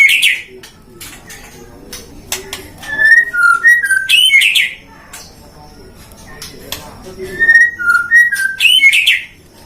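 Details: Captive-bred white-rumped shama from a breeder in Depok, Indonesia, a competition songbird, delivering two bursts of loud, rich whistled phrases: slurred notes dipping and rising, mixed with sharp clicks and brief chattering, separated by a quieter pause.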